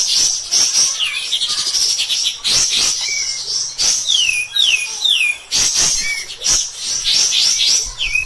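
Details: Cotton pygmy goose kept as a master singer for tutoring other birds: harsh high chattering bursts separated by short gaps, with several steeply falling whistles between bursts.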